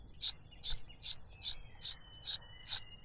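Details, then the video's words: A cuckoo chick begs noisily for food from its foster father, who stops its mouth with a butterfly; seven shrill, high, hissy notes at a steady rhythm of roughly two per second. "The cuckoo bird is too noisy when trying to grab food杜鹃鸟抢食太吵闹了"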